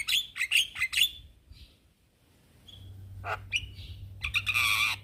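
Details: Male Javan myna calling to young companions: a quick run of harsh, chirping notes with bright overtones, a short faint whistle, a pause, then more scratchy bursts and a closing loud raspy chatter over a low steady hum.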